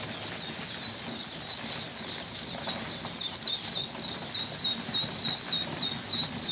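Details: Ducklings calling with a continuous chain of thin, high whistled peeps, around three per second, bright and slightly rising, over soft shuffling sounds.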